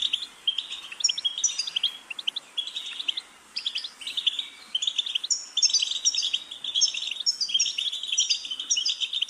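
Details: Goldfinch training song: bursts of fast, twittering, liquid notes with buzzy trills, broken by a short pause near four seconds, then continuing more densely.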